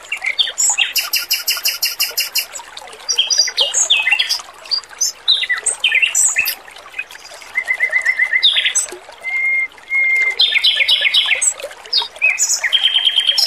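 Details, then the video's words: Male Oriental magpie-robin in energetic song for training other birds, with a water-trickle background: varied phrases of bright whistles, buzzy rattling bursts and sharp chirps, plus several long, clear, level whistles. "MASTERAN BURUNG ROBIN JANTAN GACOR, SUARA MERDU DAN JERNIH"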